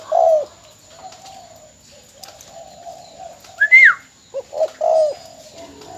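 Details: Spotted dove decoy of mồi mỏ công type from Bến Tre, since sold: tail of a coo opens the clip, soft low murmurs follow, a higher sliding whistle intrudes, then another short-short-long coo phrase.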